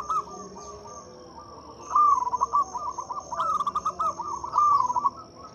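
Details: Loud local zebra dove lure song for doves that seldom sing: long runs of bubbling, pulsed coos repeated in close succession, fairly even in pitch, with a faint high insect drone.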